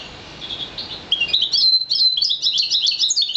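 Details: A one-year-old goldfinch mule, a hybrid of a European goldfinch and a colour-fed green Fife canary, sings a fast, high run of twittering, tinkling notes and brief trills, rising in energy after a soft opening.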